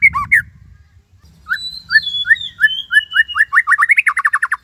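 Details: White-rumped shama, a 'gacor' bird of the Cililin 'tembakan' style, used as a tutor recording for training other shamas: sharp opening notes, then a long high whistle over repeated upslurred notes that speed into a rapid rhythmic series, with low rumbling underneath.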